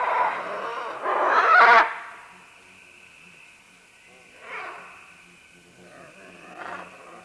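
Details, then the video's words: A group of green-winged macaws moving down along vines: a long, loud, raspy squawk in the first two seconds, then fainter harsh calls around four and a half and near seven seconds against a steady background hum. "Green-Winged Macaw. MCU - MD Calls From Several As They Descend Along Vines"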